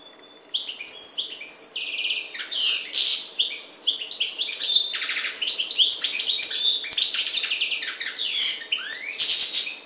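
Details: Maghreb goldfinch of the parva race in full song, nearly ten seconds of dense, ringing twitters, nasal buzzes and quick chattering trills, steadily loud after a softer start.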